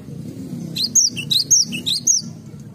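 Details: Garden Cinereous tit giving three repeated phrases, each a bright downslurred whistle followed by a lower note, over a low humming background.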